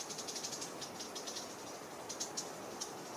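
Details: Long-billed starthroat singing in Boquete, Panama, during its December/January singing season: faint, very high, thin chipping notes in short scattered bursts over steady background hiss.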